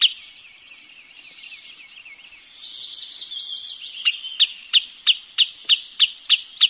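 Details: Wood sandpiper: a soft, wavering twittering opens the passage, then gives way to a steady string of crisp, high chipping notes, about three per second, growing louder toward the end.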